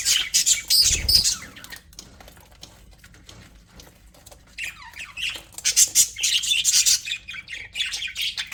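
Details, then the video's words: Several happy budgies squawk and chatter in a loud opening burst with a dull knock, fall to scattered ticks, then break into fast scratchy chirping again. "HAPPY BUDGIES SOUNDS"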